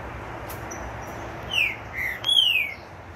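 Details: Green-winged saltator after its moult, recorded at 9 in the morning on a chilly 18 June 2022, giving short clear whistled notes, two falling slurs and a longer descending phrase, over steady low background hiss.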